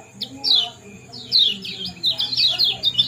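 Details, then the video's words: Lemon-bellied white-eye chatter for inducing breeding condition: a few sharp high chirps followed by a quick continuous string of downslurred, twittering notes over a faint hum. "Kombinasi ciak jos spesial pancingan kecial kuning"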